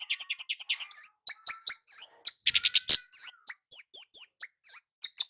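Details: Scarlet-headed Flowerpecker, known locally as kemade jawa, in full gacor calling meant to lure males and females into calling: an even string of piercing, high chips, with a short buzzy rattle midway, on a quiet background.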